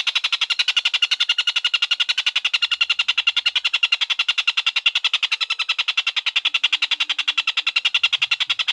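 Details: Collared kingfisher (tengkek buto) giving an extended cackle of rough, buzzy notes rattled off at roughly nine per second, uniform in pitch for nearly nine seconds, over a quiet background; used as tutor audio for lovebirds.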